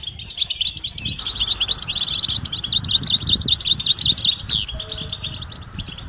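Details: European goldfinch producing mating calls said to push quiet males to sing: rapid bright tinkling twitters and buzzy notes, a single sweeping note near the end, over a low rumbling background.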